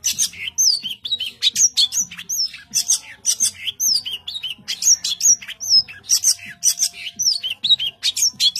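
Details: Long-tailed shrike in continuous vigorous 'tembakan rapat' song: harsh, buzzing bursts tightly packed with down-slurred whistles, barely pausing across the whole stretch.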